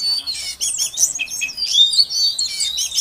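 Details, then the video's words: Female Oriental magpie-robin calling to stir a silent caged male into singing: a brief burst of varied high whistles, slurred chirps and scratchy notes in quick succession, clean and loud. "Suara Kacer Betina Untuk Pancingan Kacer Jantan Yang Macet Bunyi Agar Gacor"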